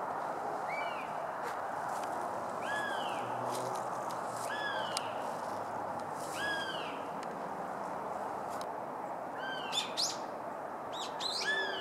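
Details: Adult female Northern Goshawk, Accipiter gentilis, 20 March 2016, Japan; repeated arched, wailing notes every second or two, some in quick pairs near the end, alongside brief clicks and knocks over constant background rush.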